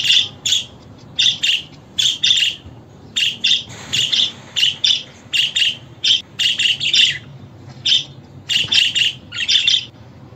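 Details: Budgerigar chattering with a long, rhythmic sequence of short, harsh, high chirps in pairs and triplets, nearly continuous for ten seconds.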